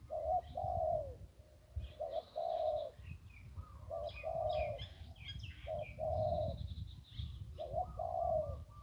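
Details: Zebra dove singing in 'one kuk' style near the Ping River, Thailand: rolling coo phrases repeated about every two seconds, each opening with a short note then a longer vibrato coo, with faint bird chirps and low rumble.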